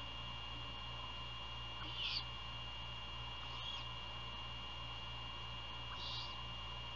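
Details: During a night feeding at a Great horned owl nest near Savannah, Georgia, 27 February 2022, three short hissing, raspy bursts come at roughly two-second gaps, softer later, against constant low hum and faint background chirps.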